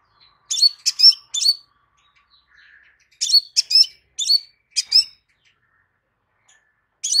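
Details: Crimson sunbird, played to make another sunbird answer: sharp, high, metallic chips given in quick clusters of two or three, separated by pauses of about a second or more, in an otherwise quiet setting.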